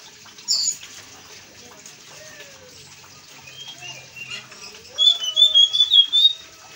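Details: Blue-and-white flycatcher in lively, full song, offered as a lure for other kept birds. Scattered thin whistles rise at first, then a quick run of bright, high whistled notes at the end. A faint lower sliding whistle sounds in the background.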